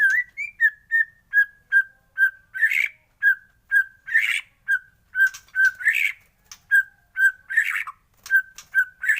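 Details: White-rumped shama in morning song: short steady whistles repeated roughly twice a second, broken every couple of seconds by harsh, buzzy bursts.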